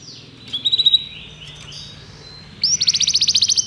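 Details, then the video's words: Canary song for training other canaries, heard more distantly over a low background hum: a short burst of quick notes and soft descending slides, then a bright, fast, regular trill. "O melhor canário canário para treinar seu canário"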